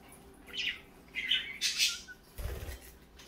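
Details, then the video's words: A few high, twittering chirps from parakeets in the morning, including a brief rising whistle, then a low thud near the end. "parakeets morning fun"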